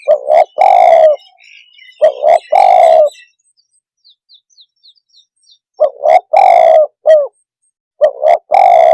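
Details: Spotted dove calling to provoke other birds: phrases of low, hoarse coos, two short notes leading into a longer drawn-out coo, repeated every few seconds. Faint high chirps from another bird fill the quiet middle.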